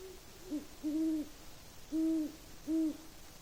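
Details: At night in snowy winter woods after a snowstorm, a Great Horned Owl (Bubo virginianus) gives four deep, soft hoots: one short note, then three longer, even ones about a second apart, over quiet background.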